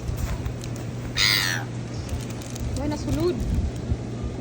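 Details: Seagulls squabbling over food on a beach: one loud, harsh, harmonic squawk of about half a second, then a few fainter, wavering cries, over steady low surf rumble and a man's voice.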